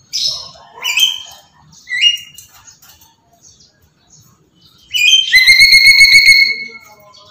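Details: Pet Black-capped lory calling nonstop: a few short rising squawks, a quiet pause, then a long, level, pure whistle with a buzzy pulsing undertone lasting over a second.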